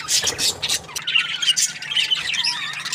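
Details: Happy budgerigar chirping: dense, high scratchy warbles and squawky chatter, fast twittering notes tumbling over one another almost without pause.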